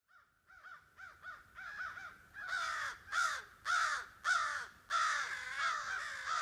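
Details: A dozen or more unhappy crows cawing overhead in woods at a hilltop clearing, possibly near their roost, as a walker arrives; soft, rapid caws swell into loud, harsh, drawn-out caws, about one and a half per second.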